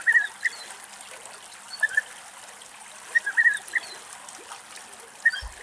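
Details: European bee-eater in Greece in August, giving short burry rolling notes, singly and in small clusters, scattered over a few seconds against a steady soft hiss.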